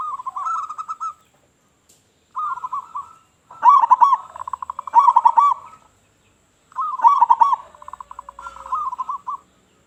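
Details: Local zebra dove singing vigorously with a loud voice, used as a lure for other doves: bursts of rapid, rolling cooing notes, each ending in a bubbling trill, in phrases separated by short pauses.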